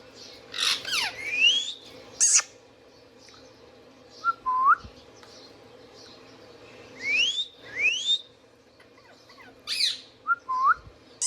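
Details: Indian ringneck parakeet kept indoors repeats a varied run of harsh screeches, long sweeping upslurred whistles and short clipped notes, grouped in three bursts across the recording.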